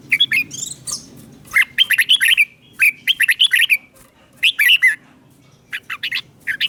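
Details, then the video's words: Caged Red-whiskered bulbul song recorded in Thailand, played to excite other bulbuls. Dense, lively runs of liquid, bubbling whistles arrive in quick clusters of four to six notes, separated by short pauses. "เสียงนกกรงหัวจุก สำหรับต่อ หรือ เปิดให้นกคึก"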